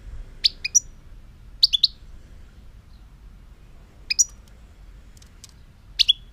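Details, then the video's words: A European goldfinch gives clusters of two or three bright, high, clipped tweets, with short silences between the clusters. "chant chardonneret"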